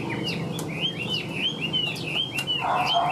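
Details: Chinese hwamei in a cage, tame, repeating arched whistled notes at a brisk steady pace, each a quick rise and fall, with occasional sharp clicks and a muffled low sound near the end.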